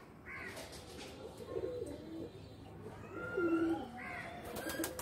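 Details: Pigeons in a loft, likely in Bangladesh, giving low throaty coos in short bursts, with a few brighter chirping notes and faint background clatter.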